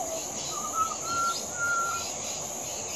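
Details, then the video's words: An adult pied butcherbird sings a few pure, flute-like whistled notes, held and slightly rising, over a steady high insect hum. "Pied Butcherbird Singing"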